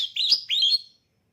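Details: Caged oriental magpie-robin (kacer) being readied for a singing contest gives two quick whistled, chirpy phrases, each sweeping upward with a slight buzzy edge, then falls silent.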